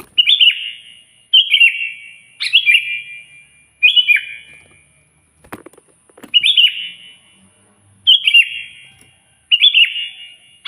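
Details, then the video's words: A sooty-headed bulbul sings to provoke a rival, repeating short fluty, gurgling phrases roughly every one to two seconds, with one sharp click around the middle. "suara burung kutilang gacor keras, paling ampuh memanggil lawan auto emosi"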